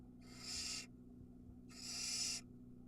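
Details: Barn owl nestling at a nest camera in Ram-on, Israel, around feeding time when it swallows a mouse whole: two harsh, breathy hissing screeches, each about half a second, over a steady low hum.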